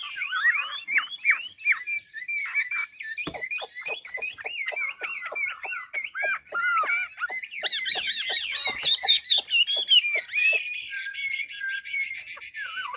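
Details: Hà Giang hwamei, Vietnam, in full training song: rapid clicks and short whistled notes in a dense stream, then a higher, rippling warble and a sustained, buzzy passage at the close.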